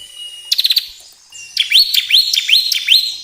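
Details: Bar-winged prinia, a song played to stimulate caged birds: a quick rattling trill, a thin whistle, then a run of sharp, rising-and-falling high notes.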